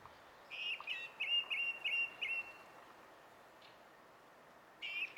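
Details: On 20 April 2016 a song thrush delivers a run of about six clear, slightly buzzy repeated notes, pauses, then starts a fresh phrase.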